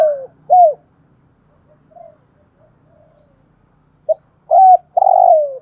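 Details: Vietnamese decoy spotted dove of the "giọng thổ" voice type, ending one phrase with two coos, murmuring softly, then giving short notes and a long rough coo sliding downward; faint low hum in the background.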